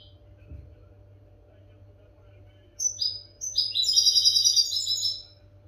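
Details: European goldfinch singing, a recording meant to teach captive goldfinches a faultless song: quiet at first, then a few sliding notes build into a rapid bright twittering run lasting about two seconds.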